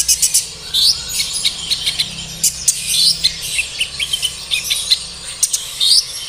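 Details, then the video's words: Sunbird song played as a lure to make captive birds sing: rapid, thin, high-pitched twittering and sharp chirps in quick bursts, with short rising whistled notes, over a faint low hum. "PANCINGAN SUARA KONIN AGAR GACOR DAN NGOBRA || Suara Kolibri ninja"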